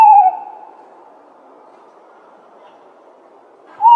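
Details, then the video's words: A tawny owl gives two short, clear mid-pitched hooting notes, the first slightly falling and the last rising, nearly four seconds apart over a faint hiss. "Tawny Owl Sound"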